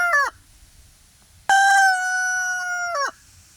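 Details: Free-range pastured rooster on an off-grid homestead: the clipped tail of one crow, a short pause, then a loud, steady cock-a-doodle-doo held for about one and a half seconds before dropping off sharply, over a quiet background.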